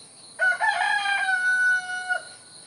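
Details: Rooster crowing in the morning in the countryside: one drawn-out, strained crow lasting nearly two seconds, holding a steady pitch before a clipped ending, over a faint background hiss.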